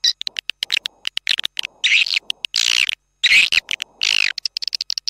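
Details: Swiftlet lure call used in swiftlet farming: dense bursts of sharp clicks and chirps mixed with longer buzzy, twittering notes, played loud with abrupt gaps.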